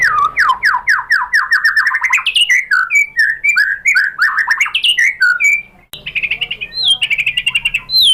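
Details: Lure song of a white-rumped shama from Indonesia, meant to make other shamas sing: loud, rich, continuous run of slurred whistles sweeping up and down, a brief cut, then bright rising whistles and chips.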